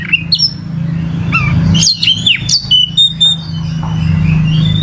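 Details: Kacer, the oriental magpie-robin, sharp upward-flicking whistles and short chips over a steady low hum in the background.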